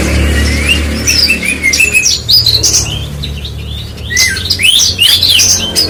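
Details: Branjangan bush lark in full song: a jumble of high whistles, sweeping slurs and chips, busier toward the end, with a soft low hum beneath.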